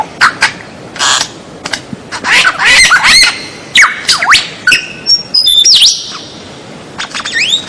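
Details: White-rumped shama song used as a masteran recording for training captive birds: a varied run of clear whistles, deep U-shaped slurs and harsh chips, with high rising and falling notes in irregular bursts.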